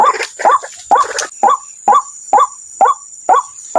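A waterhen gives harsh, croaking notes about twice a second, busier and overlapping at first, then evenly spaced, over a thin high insect-like whine.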